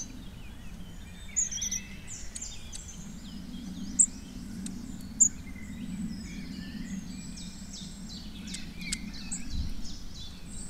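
Long-tailed tits giving thin, very high twittering calls with a few sharper squeaky notes, over a steady low hum of background noise.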